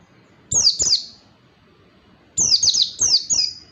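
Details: Oriental white-eye song used for tutoring other white-eyes: two brief high twitters, then a longer run of quick, sweeping descending notes.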